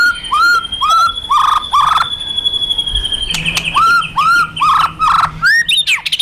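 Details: White-rumped shama fighter bird, with rattling and rapid-fire phrases played to provoke aggression: repeated rising-and-falling whistled notes in short runs. A steady high tone runs through most of the clip, with a low hum later.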